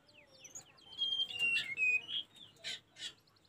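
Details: Tledekan gunung song used as a master recording for training caged birds: high whistled slurred notes and short rapid chirps, mixed with noisy bursts and faint background chatter.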